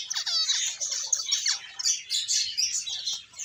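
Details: Close finch chirping: quick descending tweets followed by a continuous run of high, bright twittering from several birds, with very little background noise.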